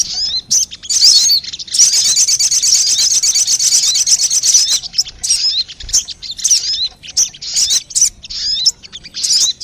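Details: Lure recording of crested jay: brief high chirps, then a sustained harsh, buzzy rattle lasting about three seconds, followed by irregular bursts of sharp hooked notes from several birds.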